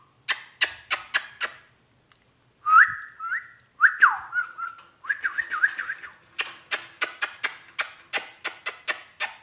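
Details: A pet rose-ringed parakeet (ringneck) talks in mid-pitched warbling, voice-like phrases in the middle, set between runs of sharp, regularly repeated clicking taps.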